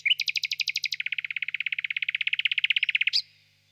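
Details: Common nightingale singing: a brief whistle, then a fast series of repeated high notes that drops into a long rapid rattling trill of evenly spaced pulses for about two seconds, ending in a sharp note; faint steady hum.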